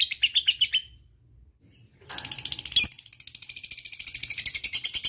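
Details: Lovebird chatter used to prompt other lovebirds: a short burst of high chirps, a near-silent gap, then a long fast rattling ngekek trill that gradually builds.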